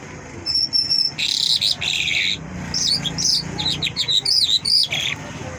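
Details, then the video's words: Mashhadi lark in song, mixing buzzy bursts with rapid warbled and chirped notes in a continuous, jumbled phrase, low hum beneath. "Mashhadi lark singing مشہدی جل"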